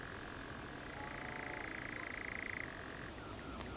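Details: At Coombe Heath, RSPB Arne, on 28 June 2018 at 21:54 BST, about half an hour after sunset, one of two male European nightjars churrs: a dry, even, mechanical trill held for a couple of seconds, then fading, with a sharp click near the end.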